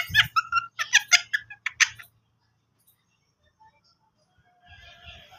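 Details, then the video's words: Pet parrot trying to talk with its owner indoors: a two-second run of quick, squeaky, harmonic chirps and chattering syllables, then near silence with a faint scratchy rustle at the end. "my parrot try to talking with me"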